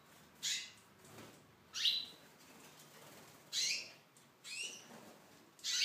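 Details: Aviary-kept Tunisian goldfinch, sounding bright, scratchy high chirps at irregular intervals of one to two seconds, five short bursts in all.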